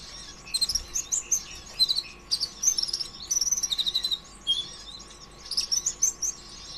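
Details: Van Hasselt's sunbird in full energetic 'konslet' song, used to encourage other sunbirds to sing; long runs of rapid, very high twittering and chattering notes broken by brief pauses.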